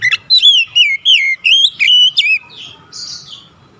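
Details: Oriental magpie-robin song, sharp and clean, played to rouse reluctant birds into singing; a dense run of bright looping whistles and a few clipped notes, then softer trailing sounds.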